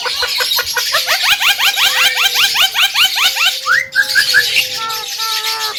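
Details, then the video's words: Male Javan myna, reputed to talk like a parrot, gives a fast series of short rising harmonic notes, about two to three per second, then longer level whistled tones. "JALAK KEBO BISA BICARA"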